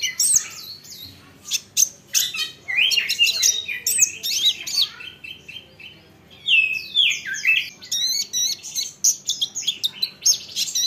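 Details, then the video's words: Olive-backed sunbird song used to provoke replies from other sunbirds: shrill curling notes and fast twitters, a short pause, then sweeping high phrases and rapid chips. "Isian Kolibri Ninja, Dengar ini konin lain pasti nyahut gacor doooorrrr"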